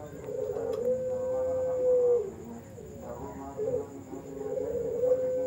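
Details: Barbary dove of the puter pelung type at a bird farm in Sidoarjo, East Java, 16 March 2020, comparing high 'ngelik' and big 'koaak' voices: a long, steady, drawn-out tonal coo, a shorter note, then another held note, over murmur and a constant high whine.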